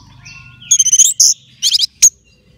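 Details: Caged orange-headed thrush, being readied by its owner for a singing contest: short bright notes, a rapid ringing trill, a clear high whistle, then a sharp final note, with low rumbling background noise.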